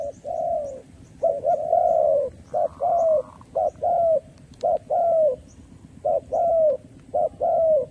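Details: Decoy spotted dove calling to lure wild doves for trapping: steady series of cooing phrases, each a short coo followed by a longer, slightly falling coo, repeated roughly every second, with faint low background rumble.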